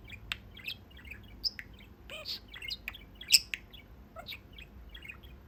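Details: Pet male budgerigar at the little window of his cage, chattering with his owners; scattered high chirps, clicks and short warbled notes in a quick irregular flow, one louder squeak near the middle, quiet room behind.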